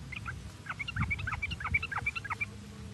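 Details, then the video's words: Lure recording of sooty-headed bulbul (trucuk) meant to get birds singing: a dense, busy run of short, slurred, bubbly notes tumbling quickly, some falling in pitch, with a low background hum. "Pancingan Trucuk Baik agar trucuk Bunyi cepat gacor merangsang suara trucuk ini"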